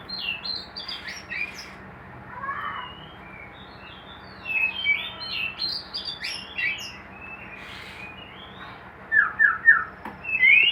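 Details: Caged white-rumped shama in a hanging cage, kept for breeding, giving scattered bursts of high chirps and short whistled notes separated by quiet gaps, with a rapid run of sharp notes near the end.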